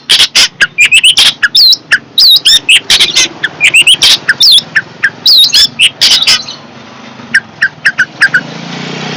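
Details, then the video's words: Fierce long-tailed shrike singing loudly: dense run of harsh, buzzy bursts mixed with sharp rising-falling whistled notes, fast and irregular, fading to scattered chirps and a soft hiss at the end. "Burung cendet galak"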